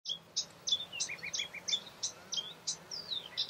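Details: A Eurasian reed warbler sings a fast, chattering stream of scratchy, high notes, some repeated in twos and threes, over a faint low hum; Doñana National Park, Spain, April 2011.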